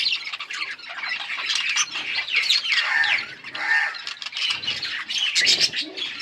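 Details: Several yellow budgies, August 20, 2024, keep up a steady stream of scratchy warbling chatter mixed with brief whistled slides and harsh squawks, overlapping without pause.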